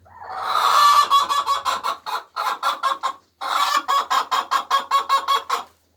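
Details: Laying hens cackle the egg song: a rising squawk followed by three runs of rapid, rhythmic clucks separated by brief pauses.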